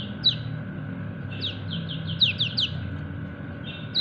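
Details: High, thin down-slurred 'ciak' notes from a yellow white-eye, kecial kuning, summoning its companions, given singly and then in a tight run of four or five, over low rumbling background noise.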